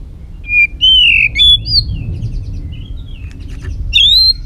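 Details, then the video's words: Excited white-rumped shama sings a long-string song of varied voices. Loud sweet whistles and slurred phrases are followed by softer buzzy notes, then a bright rising flourish at the end. "chòe lửa hót giọng dây dài"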